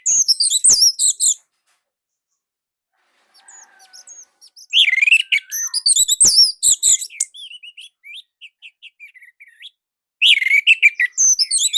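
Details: Indonesian orange-headed thrush giving its unique, tight, loud song: a burst of very high twittering, a pause, faint soft notes, then rapid rich phrases, a trail of short thin whistles and a final loud burst.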